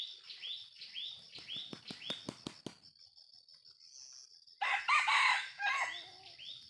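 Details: Junglefowl of the jalak type crowing: one loud, harsh, broadband burst of about two seconds, after a run of high, repeated arched chirps and sharp clicks from other small callers over a steady high insect drone.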